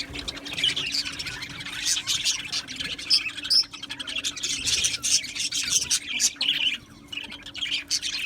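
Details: Many Australian budgies chirping together in an aviary colony, an unbroken blend of high twittering, squeaks and scratchy warbles, with a faint steady hum throughout.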